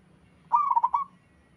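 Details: Local zebra dove in the wild delivering one soft, trilling coo, a rapid string of pulses ending in a brief drawn-out note, against a low steady background drone.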